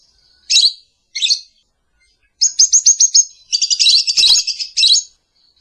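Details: Lovebird morning song for luring and mastering: two sharp squeaky chirps, a pause, then a rapid high chattering trill with buzzy, clicking notes.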